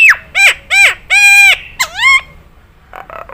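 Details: Loud nasal, bugle-like calls of a Nias hill myna in a tutor recording meant for easy imitation: drawn-out bent honks and a rising-falling note, ending in a few quieter clicks.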